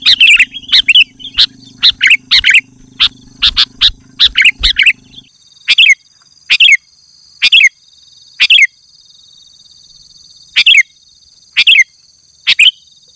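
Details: Sooty-headed bulbul song used as a lure for wild bulbuls: dense chattering, slurred notes over a low drone at first, then sparse single sharp phrases spaced about a second apart with a steady high hum.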